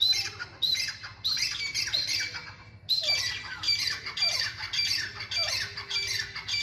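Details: Grey francolin giving harsh, high, squawking calls in rapid, uneven series, about one to two notes per second, with a steady low hum in the background.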